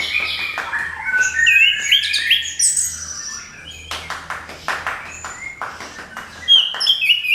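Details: Lure song of an orange-headed thrush, used to set other birds singing: bright clear whistles and twisting high notes, then a run of rapid sharp clicks and chips, ending in ringing upward-curling whistles over a low steady hum.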